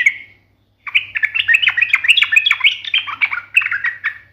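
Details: Trucukan, or yellow-vented bulbul, singing a sharp, combative song meant to make other birds answer: one burry note, a short gap, then a long rapid stream of mixed squeaky chirps and chatters over a low hum.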